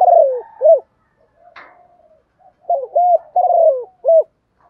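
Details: Morning calls from a spotted dove used as a decoy to lure wild birds and call the flock: low mellow coos, a drawn-out falling note and short arched notes, repeated in rough pairs, with one brief click midway.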